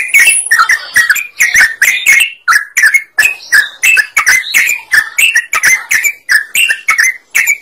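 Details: Lively singing sooty-headed bulbul, played to stir other birds into song: a steady run of short, bubbling whistled phrases roughly every half second, chirpy and slightly rising then falling, with sharp clicky onsets and no other clear sounds.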